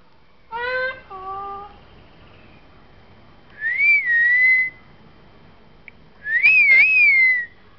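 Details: Seven-month-old pet talking parrot indoors, giving clear whistled phrases: a short stacked, tonal note pair, then two long, wavering whistles that rise and fall, separated by pauses of about two seconds.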